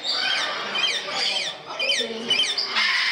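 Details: Parrots at a parrot house in Gdansk, Poland, giving loud harsh squawks and screeches one after another, several birds calling at once in a noisy indoor space, with faint voices beneath.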